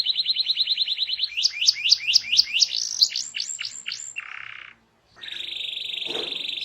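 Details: Canary song meant to prompt other canaries, with a quick even trill, then loud falling whistled sweeps, a short buzzy note, a brief silence and a sustained high tone.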